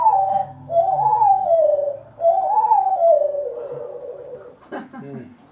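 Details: Backyard thrush, possibly of the wood thrush family, its song slowed far down: long, wavering whistled phrases that swoop up and slide down, with a soft low hum beneath and a brief burst of murmuring at the end.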